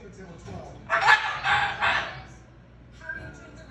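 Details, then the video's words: Pet Moluccan cockatoo indoors, calling loudly while a television plays: three harsh, broadband screeches about half a second apart, followed by a fainter call, with a person speaking just before. "Can’t hear the TV over Moluccan Cockatoo"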